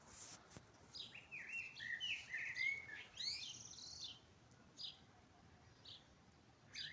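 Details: At dawn in spring several birds sing, with bright warbled whistles and short slurred notes clustered in the first four seconds, then scattered brief chirps over quiet background.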